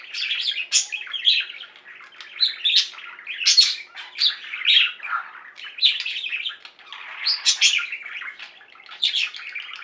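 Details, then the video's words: Singing flock of pet budgies, chirping together in a busy, unbroken chatter of squeaky, buzzy and warbled notes, with louder shrill bursts scattered throughout. "Most Beautiful Budgie songs Ever: Budgies singing and chirping"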